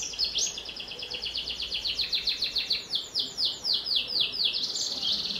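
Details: Canary singing to encourage young birds to sing: rapid chattering trills, then a string of downward-curving sweeps at roughly four per second and a rising closing note.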